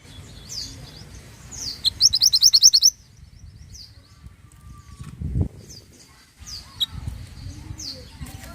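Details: Pied bushchat in full song, recorded for training songbirds: a loud, rapid trill of about a dozen high, sharp notes lasting one second, framed by thin downslurred whistles and soft low rumbling in the background.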